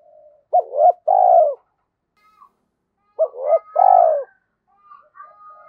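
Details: Decoy spotted dove, voice style thổ sấm, cooing to make wild doves respond quickly. Two low purring phrases of a stuttered double coo followed by a longer throaty croo, with faint higher chirps in the background.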